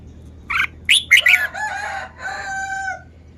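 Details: Caged red-whiskered bulbul delivering a rapid phrase of bright, slurred whistled notes, then drawn-out nasal, harsher tones trailing off.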